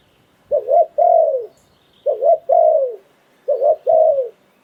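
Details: Decoy spotted dove cooing in the Thai phon liu tan style: three clear phrases, each a quick double coo and then an extended falling coo, with quiet gaps of about a second.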